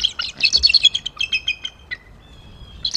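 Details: Bald Eagles, a mated pair, calling together in January before an attempted copulation; a fast run of shrill chittering notes fading after a second, then a thin drawn-out whistle.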